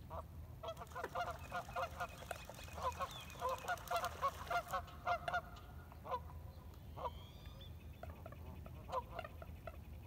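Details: Ducks at sunrise on the Colorado River, Lake Havasu near Needles, California, April 12, 2021, 6:16 AM, recorded by iPhone 7. A busy burst of honking quacks in quick series, easing off into scattered calls over water noise.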